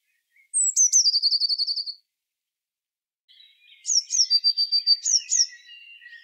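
Eurasian blue tit: a very high, thin introductory note running into a fast, silvery trill of about a dozen notes, then a second, more varied high phrase.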